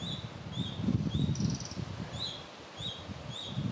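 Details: A juvenile Red-breasted Flycatcher in Chiemgau, Germany, gives thin, high, slightly down-slurred notes about every half second, with one brief buzzy note, over steady low wind rumble.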